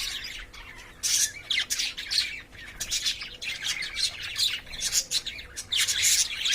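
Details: Pet lovebirds romancing in a cage: after a softer opening second, loud shrill chirps and raspy squawks burst out in quick irregular volleys.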